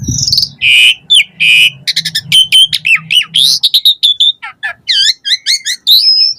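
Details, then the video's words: Asian pied starling singing varied phrases used as a lure for captive starlings; harsh squawky bursts, a rapid run of clipped whistles and chatter, then rising double-toned notes, with a faint low hum early on. "Suara Jalak Suren Gacor Full Isian Variasi Ocehan Buat Pancingan Burung Jalak Agar Gacor"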